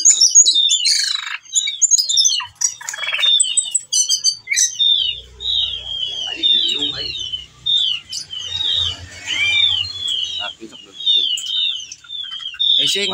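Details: Whistling thrush in breeding condition, calling for females and showing off learned song material; a run of short, downslurred whistles repeated quickly after an opening burst of sharp, clipped notes, with faint low background noise.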